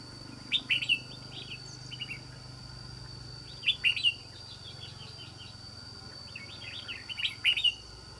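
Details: Wild-caught red-whiskered bulbul with an island-forest voice repeating lively warbled phrases of sharp, slurred whistles roughly every three seconds, with a quiet hum and faint insects behind.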